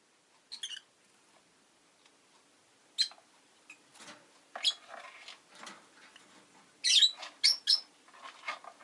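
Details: A pair of newly added pet Rosy-faced lovebirds give scattered short chirps and clicks, building to a cluster of loud shrill squeaky calls toward the end.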